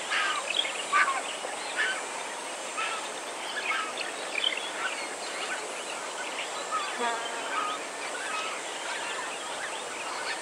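White-backed vultures give a dense chorus of harsh, rasping squeals and cackles, many birds calling at once.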